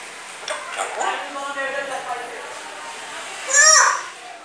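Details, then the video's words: Pet grey parrot after taking a bath, saying learned phrases and coughing: a run of speech-like harmonic syllables over about three seconds, then a loud, shrill, higher-pitched burst near the end. Quiet indoor background. "grey parrot after taking bath,saying Laillaha ILLallaha,kia hua,mitthu kon hai,Lohe alle,coughing..."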